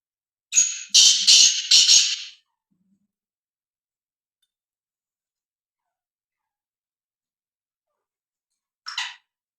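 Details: Black francolin's grating call: four loud, harsh, rasping notes delivered rapidly in about two seconds, then a long silence before one more short scratchy note.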